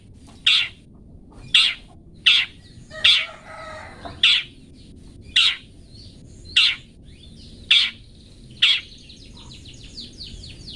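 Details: Long-tailed shrike 'toet toet' training recording for pet birds: sharp, short, high notes repeated roughly once a second, nine in all, with a brief scratchy twitter between them and faint chirps near the end.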